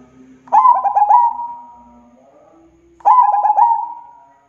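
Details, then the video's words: Zebra dove, the local perkutut, singing two phrases: each opens with quick bubbling, stuttered coos and stretches into a long steady note that slowly fades, with a soft low drone underneath. "Suara Burung PERKUTUT Gacor , merangsang burung PERKUTUT agar bunyi burung PERKUTUT Lokal gacor"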